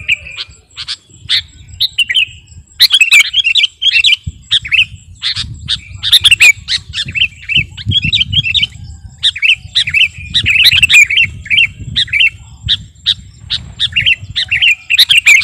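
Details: Sooty-headed bulbul of the kutilang garuda type singing energetically, used as master song for luring and training birds; dense bubbly chatter of short warbled notes and squeaky chirps, almost continuous with brief pauses, faint low rumble beneath.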